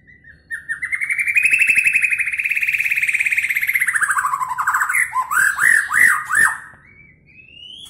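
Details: Medan-type white-rumped shama, a competition bird with mimicked cililin, canary and lovebird sounds: one long rising, rattling whistle held for several seconds, then a series of quick looping slurred notes and a final upward whistle.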